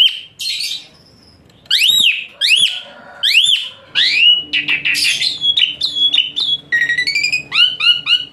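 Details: Asian pied starling singing loud, high, shrill tutor song for training songbirds: sharp upswept whistles with harsh rough bursts, rapid chatter and a string of short rising notes near the end.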